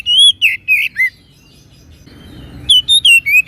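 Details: Oriental magpie-robin (kacer) in energetic full song, used as a master tutor recording: loud whistled notes sliding between high and mid pitch in quick bursts, a pause with faint background hiss, then more whistles.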